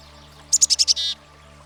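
A Black-capped Chickadee gives five quick, high, sharp notes followed by a lower, harsh buzzy note, the familiar chick-a-dee pattern, over a quiet background.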